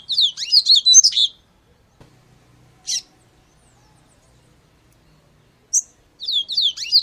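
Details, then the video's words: Double-collared seedeater song: two bursts of rapid, high twittering and trilled notes, slurred up and down, each about a second long, with a single sharp call note between them in an otherwise quiet background. "Papa Capim"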